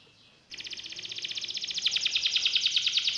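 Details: Canary starting after half a second of faint background hiss, then a fast steady trill of rapid repeated notes, about ten per second, growing louder toward the end.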